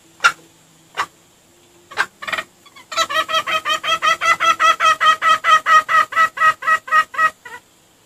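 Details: Red junglefowl calling as a lure: scattered sharp notes and a short double note lead into a long, fast train of rich, harmonic clucks lasting about four seconds.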